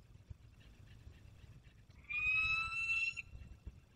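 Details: Peregrine falcon returning from hunting, Barycz Valley, Poland, 27 August 2022: after quiet, one drawn-out, slightly rising, whining call lasting about a second, with faint background noise.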